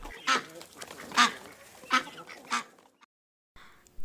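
A duck gives four loud, nasal quacks spaced under a second apart, then a pause and a faint rustle.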